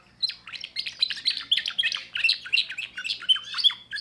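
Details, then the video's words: Young timbrado canary from 2024 delivering a new repertoire: quick, continuous chirped notes and rolling trills, bright and rhythmic, sustained for nearly four seconds. "le meilleur chant de canari I chant canari timbrado un jeune de2024"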